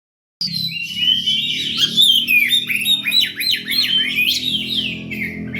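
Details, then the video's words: Oriental magpie-robin singing, played to lure other birds: a rich run of whistled, warbling phrases with quick rising and falling notes and rapid repeated chirps, steady and loud throughout, over a faint low hum. "Kacer nge-play untuk pancingan"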